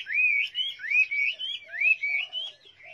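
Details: Chinese hwamei singing smooth, rising whistled phrases in quick succession, rich and melodious, with soft lower notes between them.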